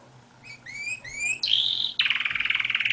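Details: Canary song made of rising whistled upslurs repeated about every quarter second, leading into a sustained high note and then a rapid pulsing rattle-like trill.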